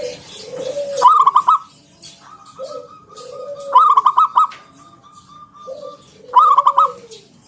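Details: Local zebra dove in ngalun 'kung bulat' style, played to encourage other doves to call: three phrases of rapid clipped notes, each answered by gentle low falling coos, steady rhythm of about three seconds.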